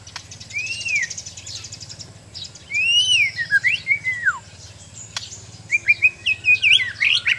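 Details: White-rumped shama of Sabah, Borneo, being trained, singing arched whistles, then looping descending phrases and a final burst of quick, bright, repeated notes; low mechanical hum beneath.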